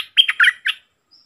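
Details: Wild red-whiskered bulbul singing at a caged decoy bird, dated 5-6-64: one brief loud phrase of three or four slurred, rich whistled notes, then quiet.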